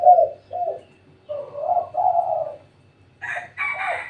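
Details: Spotted dove heard at home at midday, giving low, soft, rounded coos in short phrases with pauses between, followed near the end by a louder, higher-pitched harsh sound.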